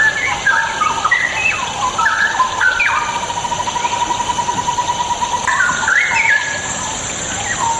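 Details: Straw-headed bulbul song meant to prompt idle birds to sing: short warbled, stepped phrases, then a long steady held tone before a final rising burst of bubbling notes, over continuous background hiss.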